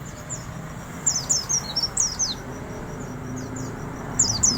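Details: Oriental white-eye, wild bird, with fine 'riwik' song: strings of piercing high notes dropping in pitch, several quick phrases separated by short gaps, faint low hum behind.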